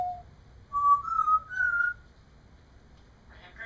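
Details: Pet parrot babbling indoors while another caged parrot plays nearby; a run of clear whistled notes stepping upward in pitch over about a second, each held briefly, then quiet and a short harsher burst at the end, with low room hum throughout.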